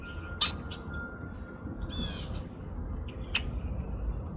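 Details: A Red-winged Blackbird gives a few short, harsh check notes and one brief buzzy, nasal burst, spaced a second or more apart, over low rumbling background noise and a faint steady tone.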